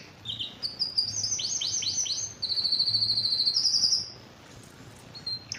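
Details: Excited male canary song aimed at mating: a few thin notes, a run of downward-sweeping slurred syllables, then a fast bright trill, followed by near silence and a short final note.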